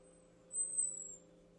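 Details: An American robin gives a single thin, very high, narrow-band "high Z" alarm whistle lasting under a second, warning of danger, over a low steady hum.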